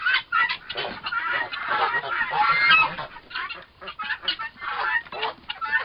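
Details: Continuous harsh, crackling chatter from two fighting turkey toms about four months old, swelling loudest in the middle and breaking into shorter bursts later.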